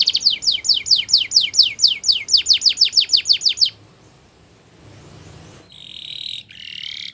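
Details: Belgian canary singing as training material: a long series of about thirteen quick downward-swept whistles, a brief quiet pause with faint hiss, then two short buzzy, steady high tones.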